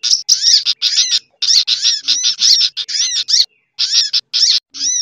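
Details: Sunbird lure call mixed with other species' calls, used to bring birds in: evenly spaced bursts of high twittering with repeated curved, slurred notes, each burst under half a second.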